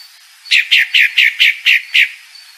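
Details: Female pale-breasted thrush gives seven evenly spaced, buzzy descending notes in one fast series against a quiet background.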